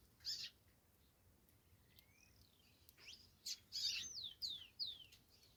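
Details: Singing saffron finch: an opening sharp chip, a thin rising whistle, then a lively closing series of bright, buzzy chirps and three clear downslurred notes in quick succession.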